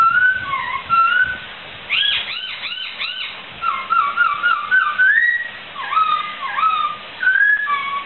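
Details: Laughingthrush known locally as poksai, singing actively for a tutor recording: mixed whistles, a handful of arched chirps, and bright rising slurred phrases, delivered in bursts with short gaps.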